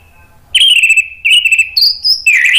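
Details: ['Orange-headed thrush singing, played as a lure to prompt other birds to answer. After a half-second pause come long clear whistles, then a jump to higher notes, then a dense warbled ending.']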